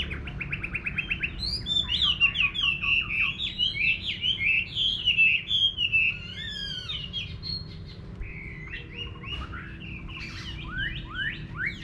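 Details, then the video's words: Chinese hwamei singing in a rural home garden: a rapid run of short repeated notes opens, then a loud, varied stream of slurred whistled phrases, rising and falling, which fades into softer scattered notes near the end. "Nghe Chim Họa Mi Hót"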